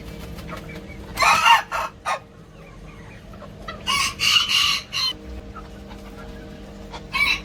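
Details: Young Ko Shamo bantam cockerel in his coop, shown as he grows into a rooster with aggressive male behaviour, crows twice: coarse, scratchy, broken bursts, each about a second long, separated by a few seconds of quieter background.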